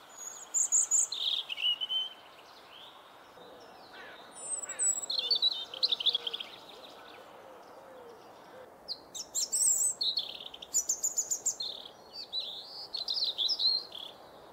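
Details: European robin in the Hannover region, Germany, 2021, sings high, thin phrases of trills and tumbling notes, each lasting a second or two and separated by pauses, with faint low chirps murmuring underneath.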